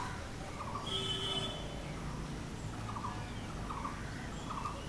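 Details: Blue-throated barbet giving short, burry, rolling notes in a steady series over the second half, after a brief higher whistled note from another bird, against a constant low hum.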